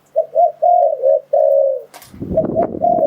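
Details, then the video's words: Spotted dove decoy call used to lure wild doves for trapping: a run of low, mellow coos in linked phrases, the last one long and drawn out, followed by a burst of broadband rustling noise. "Tiếng Chim Cu Gáy Dùng Để Đi Bẫy Gọi Bổi"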